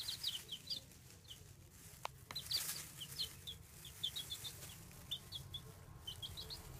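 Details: Baby chicks peeping: quick, high, thin cheeps in short bursts of two or three, scattered across the clip at fairly low volume over a steady low hum, with a couple of soft knocks.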